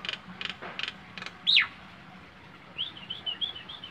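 A Nias hill myna gives four harsh, rasping clicks, then a loud whistle sweeping steeply down, and ends with a quick run of warbled, wavering notes.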